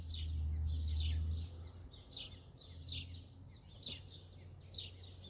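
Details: Eurasian blackbird family with nestlings: a loud low engine-like hum at first fades under a rapid series of high, thin, descending squeaks, about three per second, continuing steadily throughout.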